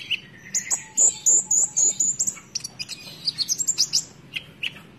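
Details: Chattering konin song from a caged bird: rapid high whistled notes with sliding pitch, clipped chips and short trills, about three to four notes a second, with a faint low background hum.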